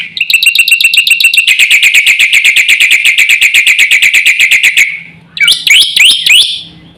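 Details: Black-winged myna singing vigorously to draw calls from other mynas: a long, very fast rattle of ringing repeated notes lasting nearly five seconds, followed by a few loud twisting whistles.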